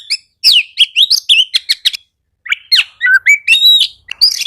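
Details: Oriental magpie-robin delivering fast, buzzy chirps and bright whistles, briefly pausing, then resuming with varied slurred notes; the song serves to provoke reluctant birds into singing.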